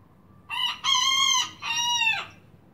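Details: Young miniature rooster crowing: a short opening note, then a long steady harmonic note and a falling final syllable, three-part crow lasting under two seconds over faint background hiss.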